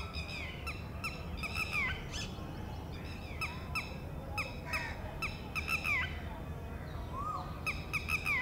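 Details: Red-wattled Lapwing female giving warning calls to her newly hatched, drenched chick at the edge of a ground nest; insistent clipped notes repeated in runs, some sliding downward, with other faint calls and background rumble.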